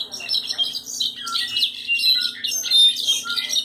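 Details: Song of a piebald European goldfinch: a continuous jumble of high twittering, tinkling notes and brief buzzy squeaks, dense and fast throughout, with a steady low electrical hum behind.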